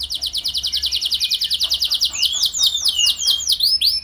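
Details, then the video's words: Canary singing as a lure to get other canaries going: a rapid, even high trill that turns midway into a series of swooping, looped notes repeated about twice a second. "Langsung Gacor Dor Burung Kenari Mana Saja Dengan Pancingan Ini! Pasti Nyaut Ikut Gacor"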